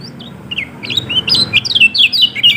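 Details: Yellow-throated white-eye, known locally as kecial kuning, in a recording played to coax a silent bird into singing: high, thin chirps and short sliding twitters that build from faint to louder, with a low background hum.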